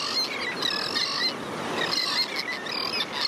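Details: Royal tern juveniles begging for food in a mixed colony with sandwich terns on St. Pete Beach, St. Petersburg, Florida; persistent high, thin, harmonic cries in a steady run with brief pauses, over surf noise.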